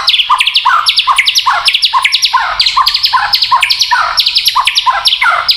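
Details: White-rumped shama in kretekan style, a song said to provoke other shamas: a rapid, steady rattle of short swooping notes, roughly five per second, paired with high sharp ticks, continuing throughout.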